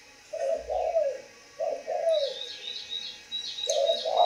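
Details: Spotted dove from a breeding facility cooing in soft, slightly falling low notes in pairs, while small birds chirp quick high notes in the background.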